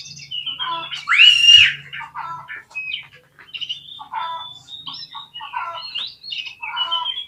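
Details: Oriental magpie-robin (kacer) song used as a lure to provoke a lazy bird into fanning its tail and fighting: varied whistled and chattering phrases, a loud buzzy slurred note near the start, with a faint low hum beneath.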